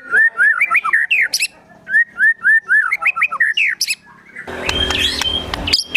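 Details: White-rumped shama giving agitated song: a steady run of loud, evenly spaced whistled notes with sharp clicks, then a burst of harsh, noisy rasping besetan, from a song filled with sogon and kunti imitations.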